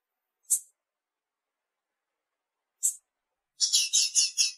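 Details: A female blue-black grassquit calls to excite a male, giving two thin, high chips a couple of seconds apart and then a quick run of four buzzy high notes.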